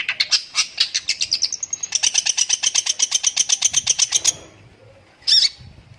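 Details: Long-tailed shrike delivering 'tembakan' song with lovebird imitation: a quick burst of high, scratchy chattering notes, very rapid and even, then a brief gap and one loud, sharp call.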